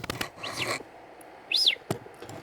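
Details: A pet male budgerigar, hiding in a small hole in a box on a DVD shelf while being coaxed out by hand, gives two scratchy, arched chirps about a second apart, with knocking, handling noises and soft speech nearby.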